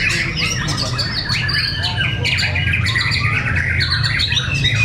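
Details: Murai batu fighter birds, white-rumped shamas, contest each other at Cibinong. Rapid bursts of scratchy chatter and bright whistles alternate densely, backed by a low hum.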